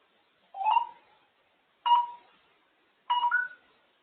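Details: African grey parrot kept as a pet making noises indoors: three similar electronic-sounding bleeps, each a short tonal burst with a mid and higher tone, about one and a quarter seconds apart.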